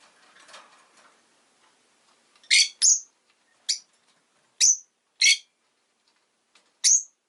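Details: Rosy-faced lovebird giving six loud, shrill, piercing chirps in an irregular series over about five seconds, some harsh and buzzy, others sharp and whistled, after a short stretch of faint rustling background noise.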